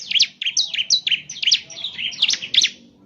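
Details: Bar-winged prinia song used to trigger singing in a caged bird: a fast, continuous chattering string of high, scratchy two-part notes, evenly paced over about three seconds.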